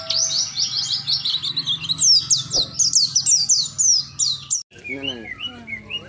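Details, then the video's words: Competition lovebird in Muara Wahau delivering a fast, unbroken chatter of shrill, sweeping high notes for over four seconds, then a short break and some lower squeaky notes from other birds. "LOMBA BURUNG BERKICAU " LOVEBIRD ""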